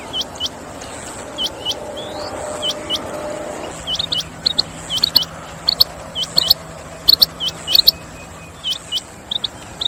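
Female Rain Quail giving short, high, upward-flicking chirps, singly and in quick pairs, irregular at first and then tumbling faster; a low steady hum runs underneath.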